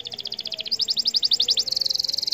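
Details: Canary song used as a provoking track to stir other canaries into singing: fast high chirped trills, notes repeated about a dozen times a second, shifting at the end into a quicker buzzing trill.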